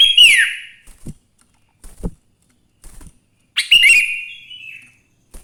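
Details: Morning song of a sooty-headed bulbul, used as a lure to get other bulbuls singing. Two loud, bright, falling whistled phrases bracket faint soft clicks and taps.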